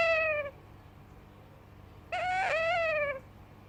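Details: Young yellow Indian ringneck parakeet speaking its first words by moaning like a cat: two drawn-out, harmonic meow-like moans, the first short and falling, the second longer and wavering before sliding down, with quiet room hiss between.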